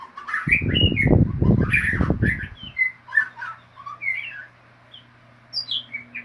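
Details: Lively white-rumped shama song in ngeriwik style, quick whistles and slurred notes tumbling together, loud low rumbling bursts over the first two seconds, then clearer spaced phrases and a low hum.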